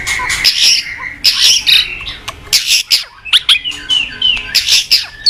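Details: Caged white-rumped shama (murai batu) used to tutor other shamas, giving bursts of harsh buzzy squawks alternating with thin high whistles and short chirps.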